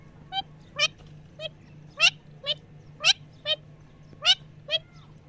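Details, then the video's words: Parrot calling naturally: short harmonic squawk-chirps repeated roughly every half second, alternating louder and softer notes, with a steady low hum behind. "Parrot Natural Chirping Sounds"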